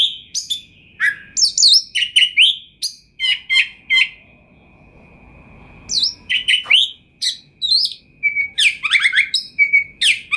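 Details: Champion kacer (Oriental magpie-robin) singing actively with a full repertoire. Bursts of sharp high chips and downward-slurred whistles, then a quiet pause with soft hiss, then dense varied phrases of mimicked notes above a steady faint hum.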